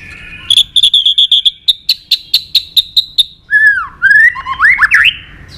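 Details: Fighting song of a white-rumped shama: a fast train of sharp clicking notes over a steady high tone, then rich downslurred and upslurred whistles.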